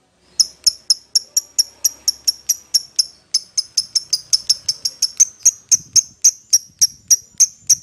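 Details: Lovebird calling its companion, a lure recording to draw a rival: sharp, high chirps repeated quickly and steadily, about three to four per second, with faint low rustling behind.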